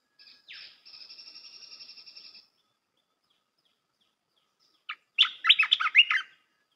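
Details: Red-whiskered bulbul song used for training young birds: a steady, high, buzzy trill lasting about two seconds, a pause, then a short burst of rich, chirpy, warbled notes.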